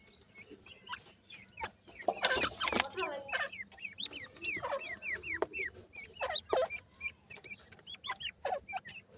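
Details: Indian gora teetar, or grey francolin, chicks chirping busily: many overlapping high bent peeps, a loud rustle or scrape in the middle, and a few lower clucking notes throughout.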